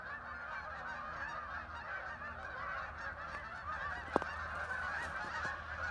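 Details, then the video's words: Thousands of ducks landing on the water at Hockanum River Linear Park, Vernon, Connecticut: a steady din of many overlapping calls, with one sharp click partway through. "thousands of ducks arrived making a strange noise"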